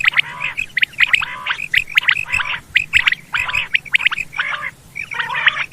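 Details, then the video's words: Quail calls used to attract quail for hunting: harsh, buzzy notes repeated roughly once a second in uneven bursts, with a low hum underneath. "Batair ke shukar k Liye | Behtareen Awaz | sound Of | Quail Bird's sound"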